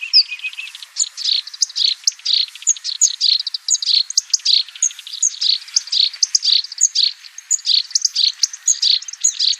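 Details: Sooty-headed bulbul (black-browed) giving an energetic, varied song of rapid high chirps, short whistles and sharp notes, delivered almost continuously for nearly ten seconds with only brief pauses.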